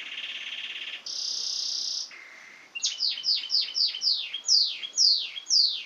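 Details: Canary singing in Xanthi, Greece: a sustained buzzy trill, then a higher dry rattle and a lower held tone, followed by a fast run of about ten descending whistled sweeps, each rising again, roughly two per second.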